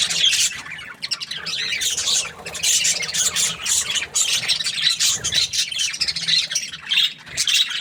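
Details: Happy budgerigars chirping: dense, continuous high chattering and squawky twittering with rapid harsh notes, several birds overlapping throughout with no pauses.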